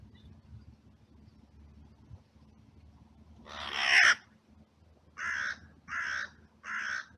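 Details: An angry crow in a cemetery, dive-bombing a buzzard eating its food, gives one long, harsh, rasping caw, then three shorter hoarse caws about a second apart, over a faint low hum.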